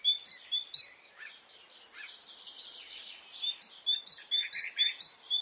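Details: Birds in song on a spring morning in Brittany, France. High flicked notes repeat rapidly at the start, a softer mix of chirps follows in the middle, then the quick regular series returns.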